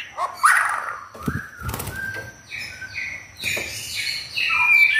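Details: Home-kept white-rumped shama, never entered in contests, with wing flaps and a rustle near the start, then bright whistled phrases and high, rapidly changing notes building toward the end.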